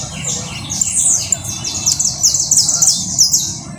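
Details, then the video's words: Canary trilling in rapid, high-pitched bursts: dense runs of thin, buzzy notes and quick rolling trills packed together over a few seconds, with a faint low background rumble. "trino de canario"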